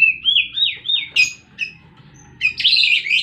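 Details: Fighting White-rumped shama giving repeated rising-falling whistles, a sharp high note, a pause, then a loud buzzy high-pitched burst over faint low background noise.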